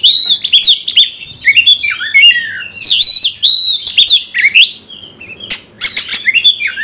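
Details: Caged Oriental magpie-robin singing loudly to trigger a fighting response in other males: dense run of sweet whistled notes, buzzy trills and harsh chips packed closely, nearly continuous for seven seconds.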